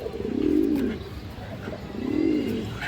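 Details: A male Indian high-flyer kaldom domestic pigeon, one of a cream-eyed pair, gives low, rounded coos: two swelling phrases about a second and a half apart.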